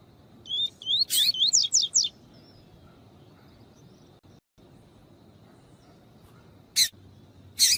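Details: A double-collared seedeater (coleiro tui tui) sings a quick run of high, rising whistled notes, then brief sharp chips after a pause. This is used with a female's call to warm up captive males. A faint hiss runs underneath.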